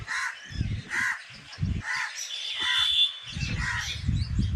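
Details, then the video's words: In a village, a bird gives harsh, hoarse caws in short bursts about once a second, with a thin sustained whistle from another bird and low thumping noises between the calls. "bird chirping sound"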